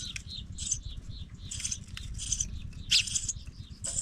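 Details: Young pipit fledglings leaving the nest: scattered thin, very high squeaky notes in short bursts, irregularly spaced, with a steady low rumble underneath.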